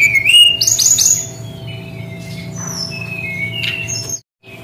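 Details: Brown-chested jungle flycatcher singing its unique shooting style: a rising slurred whistle, a high buzzy sweep, then spaced thin whistles and a sharp chip, with low steady rumble underneath.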